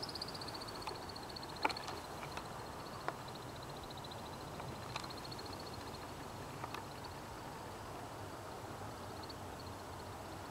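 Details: A male American woodcock in its aerial mating display flight gives a thin, high, rapid twittering that runs almost steadily, over a low rumble and a few scattered clicks.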